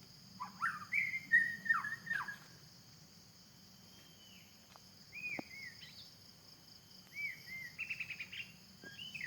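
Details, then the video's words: Wild white-rumped shama singing in the forest, with loud whistled, slurred notes early on, then quieter scattered phrases and a short rapid trill near the end, all over a constant insect buzz. "the sound of birds in the forest.wild white rumped shama"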